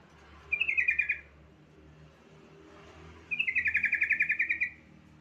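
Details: Yellow-vented bulbul, used to prompt other bulbuls to sing: two bursts of rapid bubbling notes, about ten quick descending warbles each, the first short near the start, the second longer after a pause, over low background hum.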